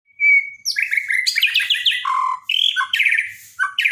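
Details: White-rumped shama from Borneo, daily song training: a long high whistle opens into a rapid, varied run of bright warbled and trilled phrases, shifting between higher and lower notes almost without pause.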